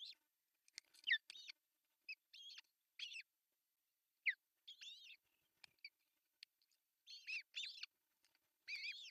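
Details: Ospreys at an artificial nest in Finland on June 10, 2024, as the male arrives with a big fish for breakfast. Irregular high, piping, wavering calls are scattered through, louder and fuller near the end.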